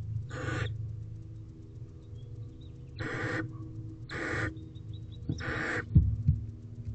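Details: Oldest barn owl owlet in a nest box, evening of 20 April 2023 at 6:32 pm, flexing its wings; four loud noisy rasping hisses spaced irregularly about a second apart, with faint thin squeaks, shuffling and a low background hum.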